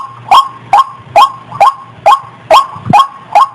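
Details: A white-breasted waterhen hen in breeding condition, about to mate, gives eight clipped, nasal croaking notes at a brisk even pace with a low electrical-sounding hum underneath.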